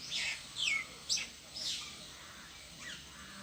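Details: Perched alone in a tree, a bird gives a few high, scratchy chirps in quick succession, then falls quiet except for a faint last note.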